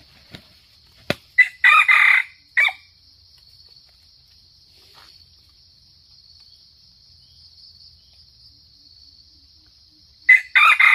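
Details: Red junglefowl from Sumatra crowing, used as a lure for trapping: a short, harsh, broken crow in clipped bursts early on, then a second crow starting near the end, over a steady high insect drone and a sharp click.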